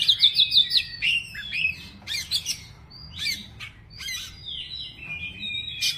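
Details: Oriental magpie-robin singing a varied repertoire: a fast series of clear whistled notes opening, then harsh scratchy bursts, sharp clicks and short sweet whistles separated by brief pauses.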